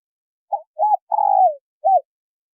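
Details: Single phrase from a female spotted dove calling to stimulate a male: a short coo, a rounded second coo, a long rough croo falling in pitch, then one clipped final hoot.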